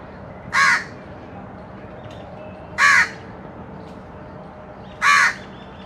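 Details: Harsh, rasping caws from a crow feeding on baigun chop, three single calls evenly spaced roughly every two seconds against low background noise.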